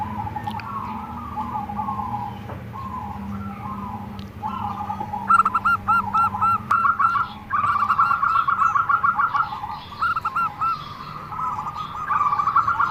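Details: Zebra dove giving an unusual call: steady soft low notes at first, then fast staccato bursts of rapidly repeated clipped notes, several seconds long and separated by short pauses.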